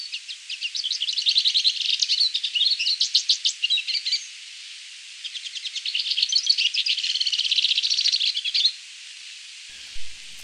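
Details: Bearded siskin (Spinus barbatus) singing: two long bursts of rapid, high twittering and chattering notes, mixed with quick buzzy trills, separated by a short pause of about a second, with the second burst ending abruptly.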